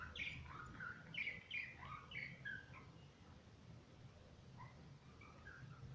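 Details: Playing pet budgies chatter in quick bursts of bright, squeaky chirps, busiest in the first half, then thinning to a few softer notes over a low background hum.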